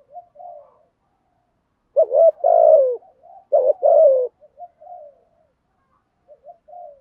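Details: Spotted dove thúc gù coo, used to lure wild doves. Faint short coos lead into two strong, low, mellow coo phrases mid-clip, followed by softer scattered coo notes. Nothing else is heard.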